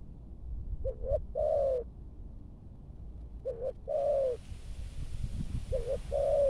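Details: Captive Malaysian spotted dove used as a decoy to lure wild birds, giving soft, hollow coos in short-short-long phrases, repeated every couple of seconds.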